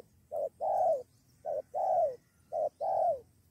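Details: Spotted dove lured by a decoy, nearly fighting it alongside a companion. Three clear coo pairs, each a quick soft note followed by a longer, gently descending coo, about one pair per second.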